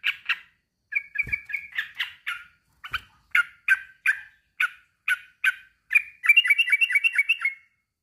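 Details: Male sooty-headed bulbul calling out to a rival with steady, rasping notes, then a faster rattling burst near the end; two brief low thumps early on.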